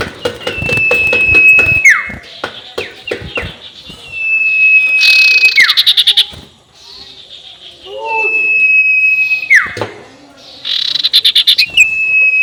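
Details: Ngekek call of the sirtu, played as a lure to make rival birds agitated: three long steady whistles, each dropping into a quick downslur, with bursts of rapid buzzy chatter and some clicking.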